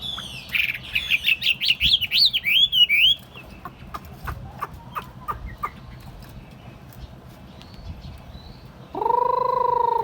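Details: Tame Chinese hwamei in a hand-held cage on a table: a burst of rapid rising and falling whistles, then sparse clicks, and finally a sustained buzzy drone.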